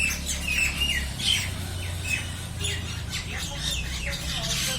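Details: Common Mynas fighting give harsh, scratchy squawks mixed with short, clear whistled notes in a quick, restless chatter over a low background hum.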